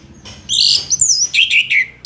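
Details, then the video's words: Orange-headed thrush (anis merah, Geokichla citrina) in long, chatty 'gacor' song used as a tutor recording for other songbirds: loud high bursts of varied notes, then a series of slurred phrases sliding downward, over quiet background. "Anis Merah GACOR Panjang cocok untuk masteran Burung"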